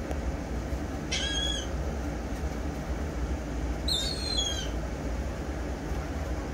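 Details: Gulls calling in the morning at a condo in Ocean City, Maryland, on August 17, 2021: two short harsh, layered cries that slide slightly downward, set against a constant low roar.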